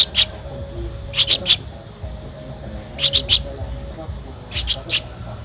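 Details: A 13-day-old Streak-eared Bulbul nestling (eyes opened at 7 days) in Ubon Ratchathani, Thailand, 15 April 2023, gives thin, high chirps in quick bursts of two or three, about every one to two seconds, over a low background rumble.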